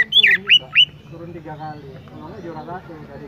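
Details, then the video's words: Oriental magpie-robin delivering three rapid, loud, high whistles that sweep sharply down, followed by softer, lower warbling notes. "chirping sound magpie Robin"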